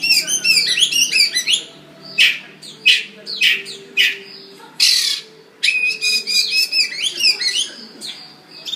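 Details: A happy magpie in Singapore sings quick looping whistles, breaks into a run of loud harsh squawks spaced about a second apart, then returns to fast, bright warbling phrases. A steady low background hum is present.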